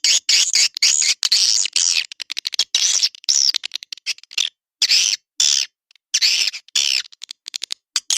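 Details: Swiftlet-house lure call of edible-nest swiftlets: raspy, buzzy high chirps in short bursts, mixed with fast ticking clicks, stopping and starting abruptly with silent breaks.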